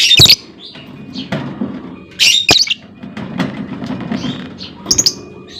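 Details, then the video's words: Calling female lovebird, used to set other lovebirds off into long trills: a few piercing squawks, spaced irregularly, over a low rumbling background noise. "SUARA PANCING LOVEBIRD BETINA, LOVEBIRD LAIN LANGSUNG NGEKEK PANJANG Dengan Suara Lovebird Memanggil"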